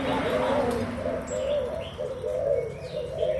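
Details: Spotted doves, young birds from Malaysia and Thailand, 24 June 2021: rounded low coos in short repeated phrases, about one per second, with faint high chirps from other birds.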